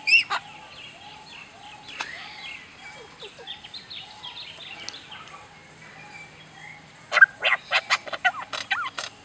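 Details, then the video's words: A lyrebird imitating sounds pours out quick, falling laser-like zaps and warbles, then ends with a loud burst of rapid chattering cackles like a laughing kookaburra's laugh. "Bird sounds just like a laser!"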